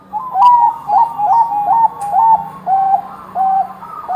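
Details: Lively Bangkok-type zebra dove song used to prompt other doves to sing: about eight clear, slightly bent cooing notes in steady succession, each dipping at its start, over a low background hum.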